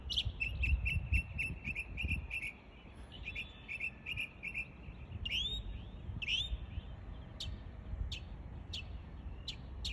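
A mockingbird sings quick bursts of bright, high notes, each phrase repeated several times before switching to upslurred whistles and then sharp chips, over a low rumble.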